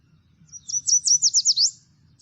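Yellow Warbler song: a very high, sweet, emphatic phrase of about eight clear slurred notes, starting at a medium pace and quickening toward an emphatic ending; faint low hum beneath.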